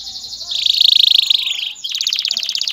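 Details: Male canary singing to prepare a female for mating and encourage nest building: a high, bright trill of rapid notes that switches abruptly to a second, faster buzzy rattle.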